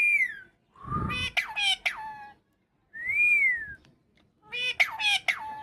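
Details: Tame pet parakeet kept as a talking bird, giving arched whistles that rise and fall, mixed with harsh squawky chatter and clicks, while people talk and laugh nearby.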